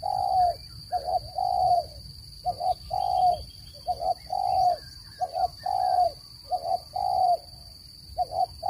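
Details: Spotted dove calling, used to attract birds to traps: low hollow coos in a rhythmic pattern of brief paired notes and longer sustained ones, several phrases in a row, a faint constant high tone behind.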